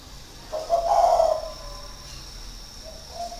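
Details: Caged spotted dove from Ba Vì, northern Vietnam, a decoy bird six years in its cage, giving one rounded hoarse coo. A faint softer coo follows after a pause against low background hiss.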